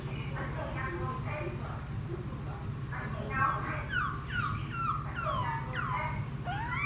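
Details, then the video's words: Newly captured wild laughingthrush, ten days kept, singing after bathing: a run of descending whistled slurs growing louder toward the end, backed by a continuous low hum. "Khướu bổi hót gió ( chuyện kích bổi hót cực sung"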